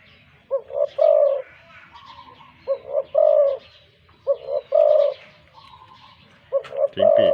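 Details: Spotted dove decoy bird, wild-caught with a big voice, lying with wings dropped, gives repeated coo phrases of two or three short notes and a longer low coo, roughly every two seconds, loud click at end.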